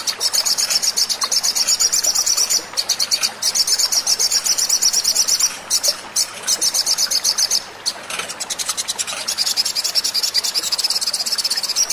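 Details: Sogon singing, played to coax other birds into song: long runs of fast, high-pitched rattling trills, broken by brief pauses and thin chirps, with little background noise.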